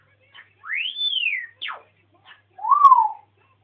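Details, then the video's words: Pet African grey parrot on a rant: a loud arched whistle rising then gliding down, a quick steep downward sweep, faint chirps, then a shorter lower whistle that rises slightly and falls, in a quiet room. "african grey jo-jo talking"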